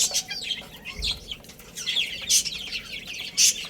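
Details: Chicks eating and playing, their high downslurred peeps overlapping, with loud bursts of pecking or scratching clicks about once a second and a brief low thump.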